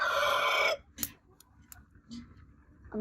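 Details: Rooster at a crowing competition; only the loud, rough, harmonic end of a crow, under a second, then quiet with a few clicks and a faint cluck.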